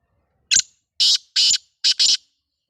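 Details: Pet black francolin (kala teetar, Sindhi type) giving a rasping call of five loud scratchy bursts. A lone note is followed by two notes, then a tight closing pair, with nothing else audible.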